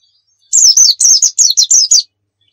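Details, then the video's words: Short white-eye 'nembak' phrase used as a lure: about eight loud, high, wavering slurred notes run together over one and a half seconds, clean with no background sounds. "Masteran Pleci Nembak"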